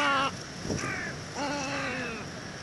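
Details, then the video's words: Overlapping hoarse, gargling croaks from a little egret, several drawn-out rasping calls running into one another over a noisy background. "صوت بلشون صغير غرنوق صغير Little Egret sound"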